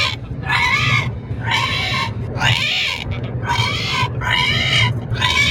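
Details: Parrot riding in a car, giving loud harsh drawn-out "rehhh" screeches about once a second, each a buzzy arched cry, over a steady low engine rumble.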